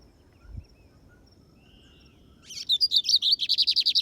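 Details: Kept lined seedeater (bigodinho) taken by its keeper on a field outing (campiada), in Brazil; after a quiet start with a faint thump, a fast high song begins: a few twittering notes, then a rapid, evenly repeated trill of sharp chirps.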